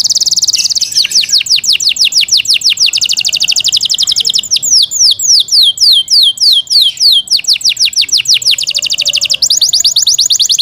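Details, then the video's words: Caged Yorkshire canary singing loudly: a high, fast trill at the start, then long runs of rapid downward-sweeping notes repeated about three times a second, ending in quick rolling phrases. "Yorkshire canary Nice sound"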